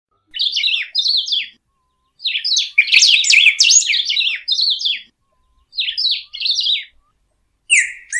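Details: Golden-billed Saltator (Saltator aurantiirostris) sings bright, high warbled phrases of about a second each, separated by short pauses, with quick slurred notes rising and falling.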